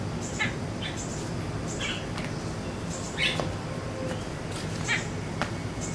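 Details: Ashy tailorbird lure call meant to provoke wild birds to respond: short, sharp, high chirps in quick bursts, roughly every half second to second, over a steady background hiss and low hum.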